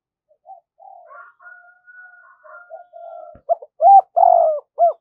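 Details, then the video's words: Spotted dove used as a decoy to lure wild doves, singing in the 'giọng thổ' style: soft faint tones and quiet notes, then a loud closing series of deep coos, one long and falling, ending in a short final coo. "Chim Cu Mồi Thúc + Gáy Gọi Bổi Nhanh Về Cội"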